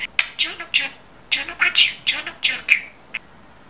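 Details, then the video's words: Talking budgerigar repeating human-like words. A string of about eight crisp, high, breathy syllables ends with a squeaky whistled note and a final click. "İNSAN KADAR NET KONUŞAN MUHABBET KUŞU"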